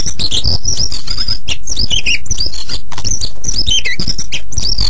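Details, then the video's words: White-rumped shama song used as a training model for other birds to learn: loud, rapid run of whistled, swooping notes and trills high in pitch, nearly continuous, with brief gaps. "Suara Burung Murai Batu Super Gacor Untuk Master"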